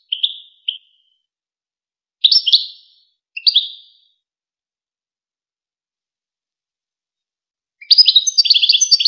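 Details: Goldfinch tutor song of the famous Wakr Touzgha style, meant for young goldfinches and hybrids: a few clipped chirps and short twittered bursts, then a dense liquid jingling run at the end, clean background.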